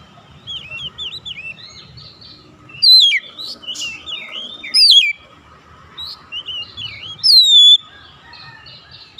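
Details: Calling Oriental magpie-robin answered by another. Three loud, piercing descending whistles come roughly two seconds apart, with quieter chattering and curling whistles filling the gaps between them.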